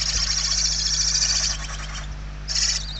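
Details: Barn owl nestlings begging from hunger inside their nest, Spain, late November 2023: a dense, rough, snoring hiss rippling with fast pulses for a second and a half, a pause, then another short rasp, low hum beneath.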